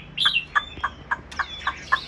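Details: Chinese hwamei kept in a cage opens with a brief high warbled phrase, then gives a steady series of clipped mid-pitched notes spaced about a quarter second apart.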